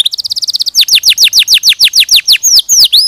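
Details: Canary singing a clean training song for other birds: a quick run of high repeated notes, then a steady series of loud downslurred whistles about six per second, ending in sweeping swooping notes.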